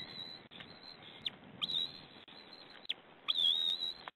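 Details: At a white-tailed eagle nest on camera, 2 May, while a parent feeds the young leftover fish at dinner, thin, high whistled peeps sound in long wavering tones with brief breaks and a few sharp upward squeaks; faint hiss.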